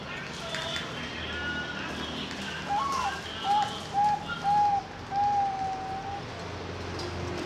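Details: Zebra dove bred at a farm in Kediri, East Java, Indonesia, hatched June 2024: a series of soft cooing notes, the first rising and the rest level, repeated about every half second, over steady background hiss.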